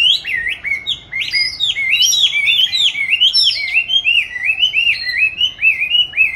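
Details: Oriental magpie-robin raised in captivity since 29 July 2020, recorded 22 March 2021 while hung up to train its song. Continuous loud whistled phrases, with many rapid upsweeping and arched notes repeated throughout.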